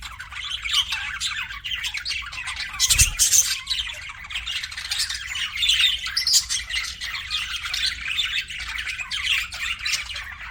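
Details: Pet budgies chirping and squawking: a continuous dense chorus of buzzy warbles and sharp calls, with one loud thud-like noise about three seconds in.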